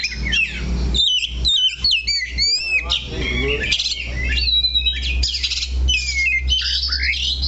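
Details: Caged Oriental magpie-robin singing steadily while perched in one spot: a varied, fast string of whistled sweeps, sharp chips and slurred rising and falling phrases, with a low background hum.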